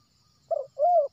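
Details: Wild spotted dove from West Sumatra, used as a lure for trapping. A short wavering note is followed by a smooth, arched, sustained coo, mellow and low, in quiet surroundings.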